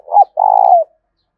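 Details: Short spotted dove song, used to stimulate cooing and train a decoy: a swelling mellow note, then a steady, trembling low coo that slides down and fades.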